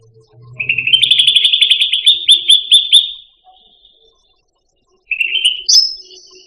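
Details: Long, rapid rattling trill from a cucak rante pet songbird, followed after a pause by a shorter buzzy phrase and a high slurred note.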